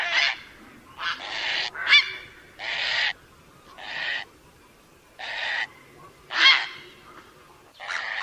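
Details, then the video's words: A heron gives harsh, raspy squawks, each about half a second long, in an uneven series roughly once a second. No other sounds stand out. "Herons bird sound"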